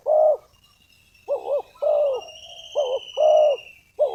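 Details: Spotted dove calling as a decoy to lure wild doves for trapping: soft, mellow coos in short separate phrases, some two-part, roughly one per second, with a faint thin descending whistle behind.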